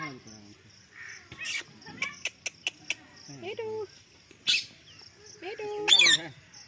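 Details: A talking parrot mixes voice-like syllables with a few quick clicks in a row, bursts of harsh screeching, and a wavering mimicked phrase toward the end.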